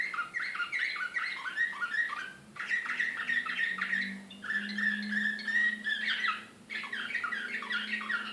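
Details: Serbian slavujar canary from Belgrade, 2014, delivering dense rapid trills and warbled rolls in bursts of about two seconds, separated by brief pauses, with a steady low electrical hum underneath.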